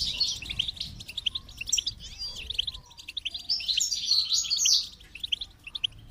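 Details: Goldfinch giving a lively stream of high, tinkling chirps and buzzy trills, the phrases swelling louder toward the middle before fading.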